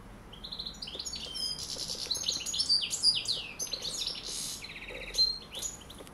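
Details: Colourful European goldfinch calling and singing, a tumbling stream of bright twittering notes, clear high whistles, buzzy rattles and downswept chirps delivered rapidly and irregularly.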